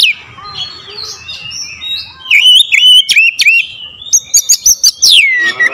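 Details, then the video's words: Oriental magpie-robin singing a strong lure song, a clear rapid series: loud whistled phrases around mid-high pitch, sharp chattering clicks, then bright high notes that sweep downward at the end, with faint background chatter. "PANCINGAN KACER POWER JELAS TEMBAKAN PEDAS"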